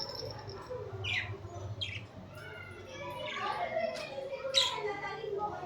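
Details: Budgerigars chirping while cuddling and fighting, giving sharp, descending squawks and quick scratchy chirps spaced about a second apart early on, then a busier run of notes, over a low murmur of human voices.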